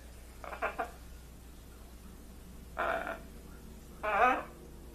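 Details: Pet blue-and-gold macaw, trained to greet, producing a quick stuttered double syllable, then two louder raspy word-like bursts about a second apart, against a low constant hum.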